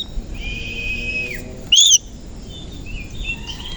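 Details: Oriental magpie-robin of the koci type in morning song; one long level whistle falls away at its end, followed by a brief loud twisting note and softer whistles.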